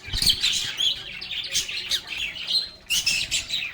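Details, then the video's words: Lovebirds singing and chatting: loud, continuous shrill twittering with rapid chirps and squeaky whistles, swelling in several bursts. "Lovebirds agapornis sounds | Relaxing Sounds of Singing, Playing, and Talking Parakeets"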